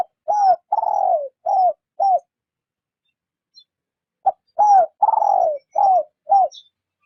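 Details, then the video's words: Spotted dove lure bird cooing softly in rút bổi style, two matching phrases about three seconds apart, each a short coo, a long downslurred coo and two brief coos. "Tiếng chim gáy mồi rút bổi nhẹ nhàng"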